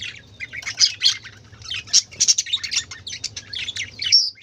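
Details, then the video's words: A noisy group of colourful budgerigars gives rapid, overlapping chirps and squeaky warbled notes in quick bursts, with a few sharper whistled peaks, over a faint low hum. "কালারফুল পাখিদের চেঁচামেচি ৷ বাজিগর পাখির ডাক"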